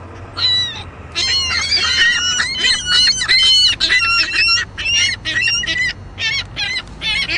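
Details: Juvenile Ring-billed Gull squawking loudly and almost without pause: harsh, nasal, strongly harmonic squawks in quick irregular bursts, each about a quarter second long, with only brief gaps between runs of calls.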